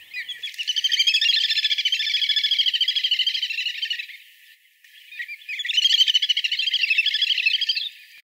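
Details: A Little Grebe in Southern Africa gives two long, rapid, high whinnying trills, each about three seconds, rising then wavering steadily, with a brief pause between.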